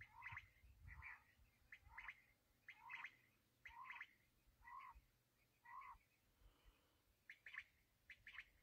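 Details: Kala teetar, the black francolin, associated with quail hunting: coarse buzzy phrases repeated roughly once a second, each a harsh grating burst, continuing steadily with a brief gap near the end, over quiet background.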